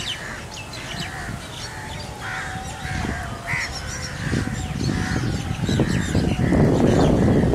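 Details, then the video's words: Migrating Rosy starlings in a murmurating flock above Hamirsar lake, Bhuj, Kachchh, 18 March 2018, recorded from beneath the flock: harsh, buzzy chattering notes repeated several times a second, with low rushing noise swelling toward the end. "Rosy starlings murmuration"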